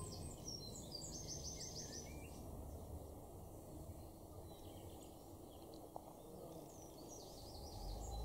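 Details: A Song Thrush in a garden in Norden, East Frisia, northwest Germany, in May 2024 gives high, bright phrases of quickly repeated notes at the start and again near the end, over steady low background rumble.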